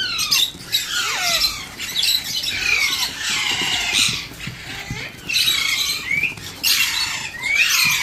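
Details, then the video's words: Baby Alexandrine parakeet during hand feeding, calling with loud grating squeals and descending rasps in repeated bursts of about a second. "Alexander parrot 🦜🦜 Pakhi baby 🐥🐥 beautiful hand food"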